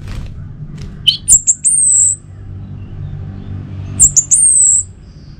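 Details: Orange-headed thrush song used as a morning lure to get kept birds singing loudly: two phrases of very high, drawn-out slurred whistles, each starting with short sharp notes, separated by a quiet pause with low background hum.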